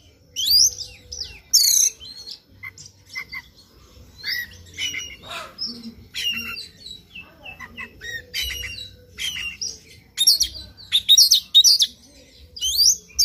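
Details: Extended morning singing by an Oriental magpie-robin, meant to push another bird into song: scattered chips and whistles over thirteen seconds, growing into dense loud bursts of varied high notes near the end.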